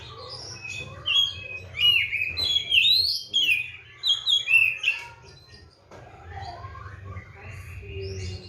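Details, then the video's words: Caged Oriental magpie-robin (kacer), fed seven crickets and bathed morning and afternoon, singing vigorously: loud varied phrases of bright whistles, slurred rising and falling notes and chatter, easing off briefly midway, over a low steady hum. "KACER GACOR"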